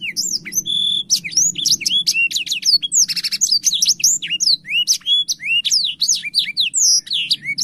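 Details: Blackthroat in full, vigorous song while opening its wings: a nonstop cascade of sharp high whistles and twitters, broken by a dry buzzy rattle near the middle, with no other sounds.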